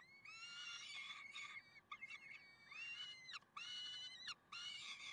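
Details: On 30 May 2010 at Karlsruhe, peregrine falcons utter raspy, upward-sliding wails grouped into bursts, several notes per second, with brief silent breaks between phrases.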